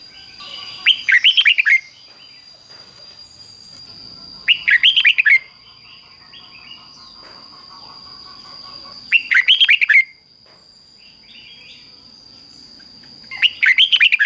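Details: Caged red-whiskered bulbul delivering its doubled 'fik-jik-fok' song for training young birds: four tight clusters of loud, liquid whistled notes, spaced roughly every four seconds, with quiet chatter and a steady high tone between.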